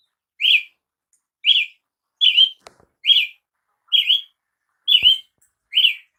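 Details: A Brazilian tanager repeats seven bright, buzzy-edged up-and-down notes roughly once a second, with two brief clicks in the background and no other birds.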